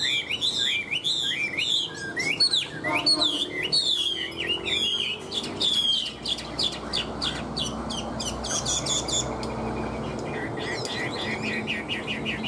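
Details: Chinese hwamei singing in a cage, tirelessly, like a machine: a fast series of rising, hooked whistles and sharp chirps for several seconds, then quieter, scattered high notes over a low hum.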